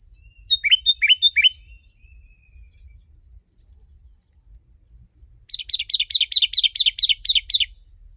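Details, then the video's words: Sooty-headed bulbul song, played to lure wild bulbuls in. A three-part chirpy phrase opens, then after a pause a rapid run of about ten sharp, downslurred notes, with a steady high insect drone throughout. "Suara burung kutilang 💯💯% asli.. burung kutilang liar pasti mendekat.."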